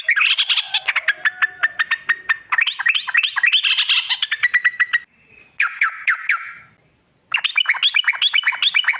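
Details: Sooty-headed bulbul long 'ropel' song to provoke singing: dense rolling chatters and fast repeated notes in several phrases, broken by a short buzz and a pause before a final rapid burst.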